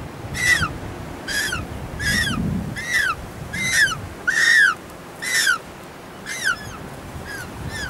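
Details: Nesting African penguins by the ocean near Cape Point, hundreds on the hillside using placed burrows; a series of about nine short arched braying notes, roughly one per second, over a low rumble of wind or surf.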